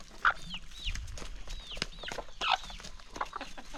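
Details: Excited chickens at morning feeding in the countryside; loud clucks and curved peeping calls come every half second or so over sharp pecking clicks.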